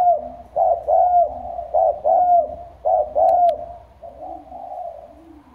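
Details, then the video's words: Spotted dove kept as a decoy bird in Trà Vinh, singing in the deep, loud 'thổ sấm' voice style: strong, hollow low coos in quick paired phrases, then softer, drawn-out coos trailing off at the end. "Cu gáy mồi giọng thổ sấm, lớn tiếng"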